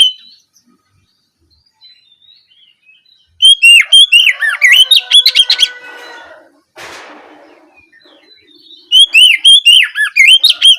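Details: Evening ngeplong singing by an Oriental magpie-robin, meant to spur another to answer: a pause, then a dense outburst of rapid whistles and harsh trills, a brief rustling noise, and a renewed string of looping whistled notes.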